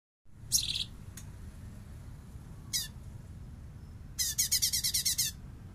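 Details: Light-vented bulbul used as a master for training songbirds: scattered short harsh chips, then a bessetan trill of about ten rapid rasping pulses near the end, over steady background hiss.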